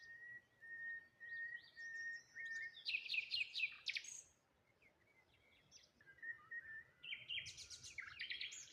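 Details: A long thin steady whistle opens a morning waterside scene by a solitary tree, followed by a burst of quick high chirps and, later, another cluster of sharp twittering notes from several birds.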